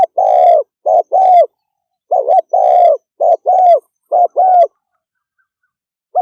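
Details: Fast 'thúc gù' cooing by a spotted dove, clusters of deep, soft two-note coos, a brief note and a drawn-out one, delivered in quick bursts, then a pause and a final coo; quiet otherwise.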